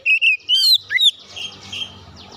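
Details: Short burst of Oriental magpie-robin lure song: a few clear whistled notes and a falling slur, fading into softer background noise.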